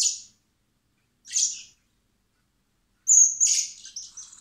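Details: Spring begging of young common blackbirds fed by hand at a recovery centre ahead of release: two brief shrill chirps, then a longer, louder run of high squeaky notes trailing off into smaller calls.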